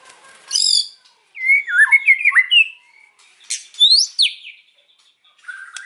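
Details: White-rumped shama in afternoon song: a harsh high buzz, then a tumbling run of looping whistled notes, followed by sharp rising chips and a short flat whistle.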